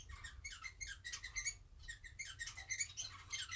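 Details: Society finches, a pair sitting pressed together preening after bathing, give a steady stream of thin, high squeaky chirps, several notes each second, with a low room hum underneath.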